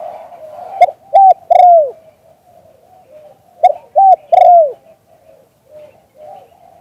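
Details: Spotted dove in liu tan style song, recorded live: two short coos and a longer falling one, repeated twice roughly three seconds apart, with faint low murmurs afterward.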